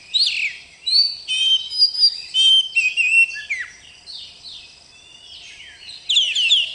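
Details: Oriental magpie-robin, a young bakalan bird described as singing vigorously, delivers a varied run of rich whistled phrases, slurred up and down with sharp chirps, in bursts over several seconds; the background is quiet.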